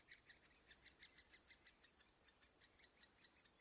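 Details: At the nest hole, great spotted woodpecker nestlings being fed give faint, rapid high chipping notes in a steady series, several per second, over a soft background hiss.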